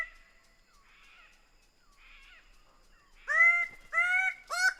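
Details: Greater bird-of-paradise giving a fast run of four harsh, nasal, honking notes in the second half, each ringing with overtones, after soft faint rustly calls early on.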